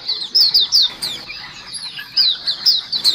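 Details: White-eye lure call: bright, high chirps slurring downward, given in quick pairs and triplets with a short lull midway, then the chattering picks up again.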